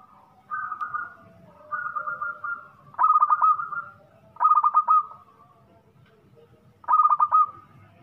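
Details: Cooing song of a local zebra dove from Indonesia, noted for its big voice. Five mellow phrases come at intervals: first two soft, even coos, then three louder bursts that start with rapid stuttered notes and trail into a sustained coo, over a low hum.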